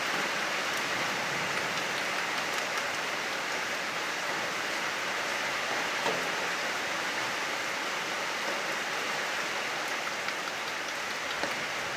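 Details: Steady heavy rain hisses throughout, with occasional sharp drips and no animal calls.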